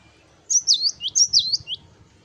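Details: Cinereous tit (gelatik batu) in full 'wucit wucit' song: a quick string of high, bright whistles that swoop down and up, about seven notes in just over a second, with a soft low rumble behind.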